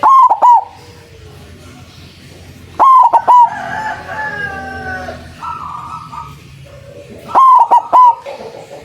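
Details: A white zebra dove, recorded as a strong lure for catching doves, repeats a loud three-note clipped coo about every 2.5 seconds. Softer calls from other birds fill the gaps.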